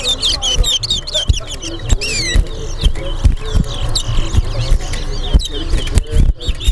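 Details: Seed finch, called towa towa, in a bird singing race in Berbice, Guyana: repeated bright whistled phrases with curving up-and-down notes, mixed with voices and a man counting aloud.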